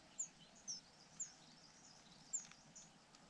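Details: A rufous-bellied niltava at a nest in Yunnan, China, gives four very high, thin, brief notes at uneven intervals over a soft steady background hiss.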